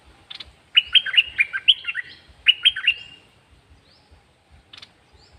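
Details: Caged bird singing a quick phrase of bright, clear whistled notes, rising and falling and strung close together, then a pause with a few faint scattered chirps.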